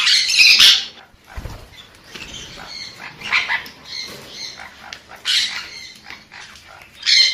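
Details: A sun conure gives a loud harsh screech at the start, then softer scratchy calls, with further piercing shrieks later and a low thump in between.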